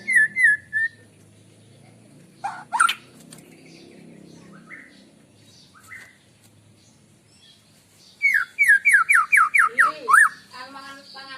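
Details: Morning shama song used for luring birds: scattered whistled slurs and a sharp snap, then a fast, even run of ringing notes falling in pitch, followed by a buzzy trill.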